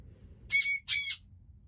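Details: A pet sun conure, the owner's "alarm bird", gives two harsh, piercing screeches in quick succession, each about a third of a second, during early-morning cuddles when she hears someone outside.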